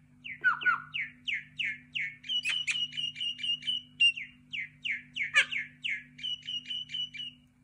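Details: Common myna giving a rhythmic series of repeated downslurred chirps, about two per second, broken by sharp clicks and a stretch of fast, even trilled notes, with a steady low hum behind.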